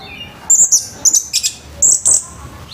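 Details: Morning song of an orange-headed thrush, a harsh style used to make other thrushes start singing: short, very high sharp chirps in pairs and clusters, separated by brief quiet gaps.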